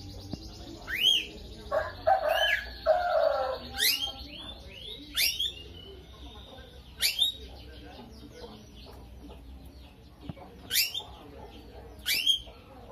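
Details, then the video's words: Lovebird with a distinctive song: scattered upswept whistles and quick chirps spaced a few seconds apart, with a brief buzzy warble near the start, over steady low background noise. "BURUNGnya LOVEBIRD,suara unik"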